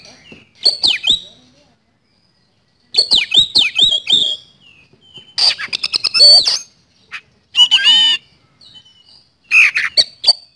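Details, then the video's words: Caged white-rumped shama, a lure bird for training, singing loud fast rapid-fire phrases: sharp downslurred whistles and harsh clicks in bursts, dense rattling trills, with short silent gaps between bursts. "Pancingan Kacer Gacor Nembak Speed Roll"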